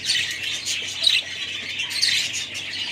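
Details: Budgerigars flock-chattering: overlapping high chirps, scratchy squawks and warbled notes form an unbroken, lively twitter with small swells in loudness.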